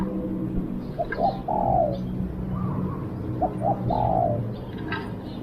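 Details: Captive decoy spotted dove luring wild birds gives two call phrases, each a pair of short notes then a long husky coo, with faint distant bird chirps in the background.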